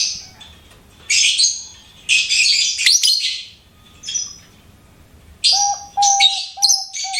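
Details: Pet lovebird singing and chirping: a run of loud, harsh, high chattering bursts separated by short pauses, later mixed with clearer, lower whistled notes repeated in quick succession.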